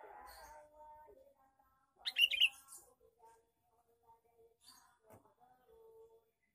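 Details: A male sooty-headed bulbul's lure call, one burst of bright, squeaky chattering notes, set among quieter scattered tonal sounds and clicks.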